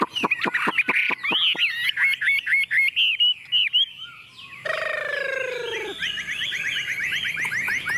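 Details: Tame, hand-carried Chinese hwamei singing confidently while set on a table: a burst of sharp clicks leads into varied fluty whistles, a short pause, a lower descending drawn note, then fast repeated chattering phrases over faint background hiss.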